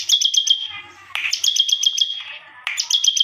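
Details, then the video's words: Bar-winged prinia singing an unusual song: rapid, evenly spaced ticking notes over a sustained high whistle, in three phrases each opening with a harsh rasping burst, with faint low noise between them. "BURUNG CIBLEK GACOR SUARA ANEH"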